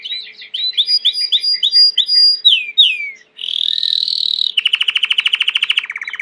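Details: Singing domestic Belgian canary: repeated falling whistled slurs, a pause, a smooth high held note, then a rapid buzzy trill running for about two seconds.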